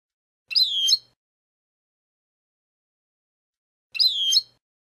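European goldfinch: two identical bright, twittering phrases of about half a second each, liquid and high-pitched, separated by three seconds of silence.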